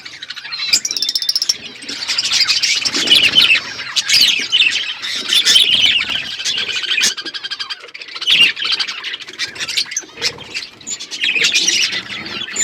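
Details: Many budgerigars chirping together in an outdoor aviary: continuous high warbling chatter with scratchy squawks and quick twittering notes, rising and falling in loudness throughout.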